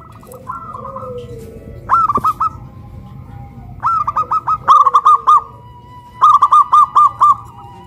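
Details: Hoisted on a pole in Kuningan, West Java, two local zebra doves, one big-voiced and one crystal-voiced, coo in a duet. Four bouts of quick, stuttering coo notes come in turn, with a soft sliding tone in between.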